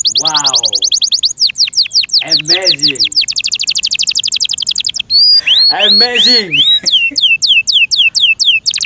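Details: Kept canary in full song with long rapid trills of repeated high notes and clusters of quick downslurred whistles, while a man's voice exclaims in the background partway through.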